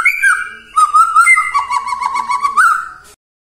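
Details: White-rumped shama song used as a morning lure to get silent shamas singing: loud, clear whistled notes near one to two kilohertz, first long steady tones, then a rapid warbling, wavering run, ending on a rising whistle.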